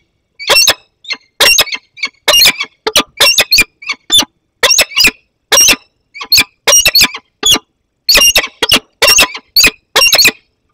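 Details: Young peregrine falcon with an adult in the Barycz Valley, Poland, August 2021: short, rasping high calls repeated about twice a second in uneven runs, separated by clean silences.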